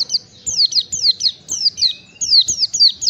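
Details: High, thin Oriental white-eye chirps repeated rapidly in uneven clusters, each note sliding sharply downward, with a faint rising whistle in the middle; played as a master recording to train caged birds.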